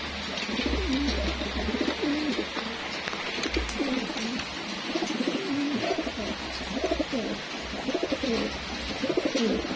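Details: Homing pigeons kept for racing, heard at their daily feeding session; many low, rolling coos follow one another almost continuously from several birds, with bursts of louder scuffling, wing flutters and pecking throughout.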